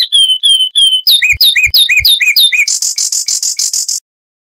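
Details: Zapata wren from Cuban lowland scrub: three long level whistles, five quick downslurred notes with sharp clicks, then about a dozen fast high buzzy notes in a regular series before stopping.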